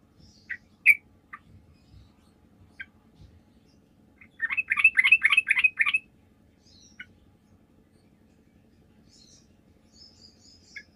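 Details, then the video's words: Sooty-headed bulbul in full song, used as a lure to draw answers from other bulbuls: scattered single chirps, then a dense burst of rapid, bubbly chattering notes lasting about a second and a half, followed by more isolated high chirps. "PANCINGAN TRUCUK GACOR, TRUCUK MANAPUN DIJAMIN LANGSUNG NYAUT"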